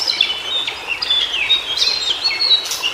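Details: White-browed shortwing in its natural habitat singing a bright, fast warbling song of high whistled notes that slide up and down in quick, jumbled phrases, over a soft hiss of background noise.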